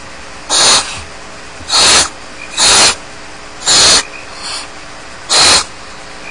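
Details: Unattended barn owl chicks in a nest at Starr Ranch give six loud, breathy, sneeze-like hissing bursts, mostly about a second apart, plus one weaker short hiss.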